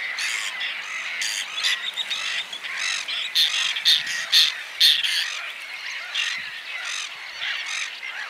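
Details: Whiskered terns calling in a noisy chorus: rough, croaking squawks repeated roughly twice a second, louder clustered rasps in the middle, and constant overlapping calls from other birds behind.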